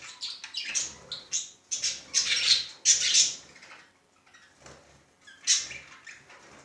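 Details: A male budgerigar showing fondness, uttering choppy bursts of sharp, high squeaks and raspy chirrups, loudest around two to three seconds, then quieter scattered notes after a short lull.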